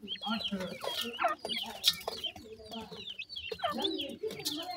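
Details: Grey francolin chicks eating termites and homemade food; continuous shrill cheeping, fast irregular chirps crowding one another, with some low rustling and faint voice.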